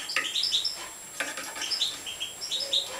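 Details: Major goldfinch, a European goldfinch, begging at feeding time: bright high chirps and short thin whistled notes in loose bursts, with faint fluttering between calls.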